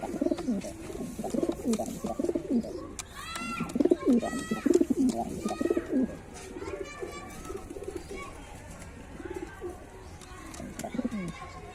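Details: Cooing white pigeons give deep rolling coos in dense bursts. Another bird adds a few higher, ringing chirps near the middle, then quieter coos follow at a slower pace.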